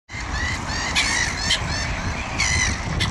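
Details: Gulls calling in a chorus: drawn-out, nasal, harmonic-rich cries that overlap, with louder bursts around the first, second and third seconds over a steady low rumble of background noise.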